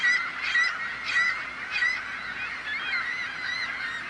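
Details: Gulls raising a din to frighten off predators, human or bird; short harsh cries repeat roughly twice a second over a background of many more distant gulls.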